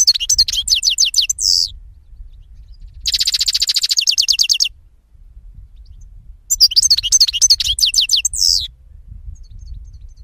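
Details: Song of a European goldfinch: three bursts of quick tinkling twitters, the middle one a fast buzzy trill of even repeated notes, over a faint low rumble.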